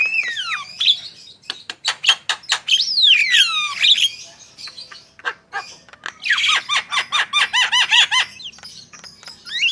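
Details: Javan myna in full, continuous song meant to prompt other birds: a varied jumble of sliding whistles, dry clicks and rasping squawks, ending in a rapid train of repeated harsh notes.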